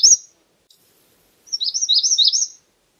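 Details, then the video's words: Magnolia warbler: a brief high chip opens, then after a pause a short run of about six quick, slurred, rising-and-falling whistled notes, high-pitched and clear, with silence around them. "Magnolia warbler Calling."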